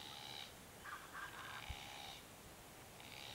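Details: Glossy Black-Cockatoos of the south-eastern subspecies lathami, filmed March–October 2022 while foraging on the Kings Tableland, Blue Mountains, New South Wales, Australia. A run of soft, grating, nasal calls, some overlapping, over steady low background noise.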